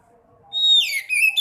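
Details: White-breasted woodswallow (sekoci) sound used as a lure to get reluctant birds singing: a thin whistle, then a loud, harsh, chattering burst of descending and rising notes.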